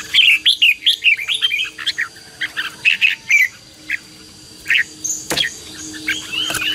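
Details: Loud, lively red-whiskered bulbul fighting song for exciting decoy birds and calling wild birds: rolling whistled warbles repeated in short phrases, then sparser chirps and one sharp click.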